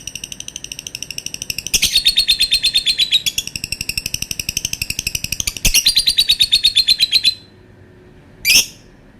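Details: Lovebird's long call: about seven seconds of rapid, rhythmic buzzy chirping broken by a few louder sharp notes, then silence and one final shrill squawk.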